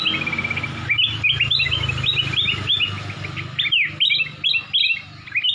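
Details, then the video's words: A black-crested bulbul sings a lively run of bright, clear, crystal-toned bubbling whistled phrases, quick and varied, over a low steady hum; its song is used as tutor song for magpie-robins. "cucak kuning atau kutilang emas, burung cantik, bersuara kristal"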